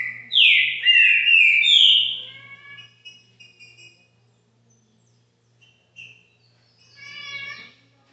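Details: Green-winged saltator singing in the caxinguelo bitola style at a fan's house: a loud burst of swooping whistles opens, then softer harmonic, nasal notes trail off, with a faint drawn-out nasal call near the end.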